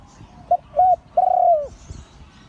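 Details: Liu Tan style crowing by a spotted dove, auspicious line: a clipped coo, a medium coo, then a long smooth note that drops away at the end, with quiet background.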